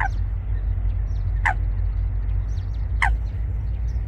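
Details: At Wangsong Lake, a Eurasian coot pair starts a nest among water plants; three abrupt, downward-sliding calls come roughly every one and a half seconds, with faint high chirps of small birds and a low background rumble.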